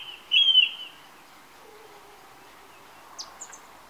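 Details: Song thrush singing on a summer evening while perched on a TV aerial: one loud, clear whistled phrase near the start, then after a long pause two brief, thin, high squeaky notes, over faint steady background hiss.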